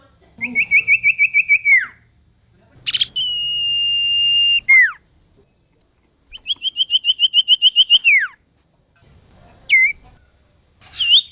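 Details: Persistent common iora song used to teach caged birds: a trill of about ten rapid, even whistled notes that drops at the end, a buzzy burst into a long flat whistle, then a second trill and short upswept notes.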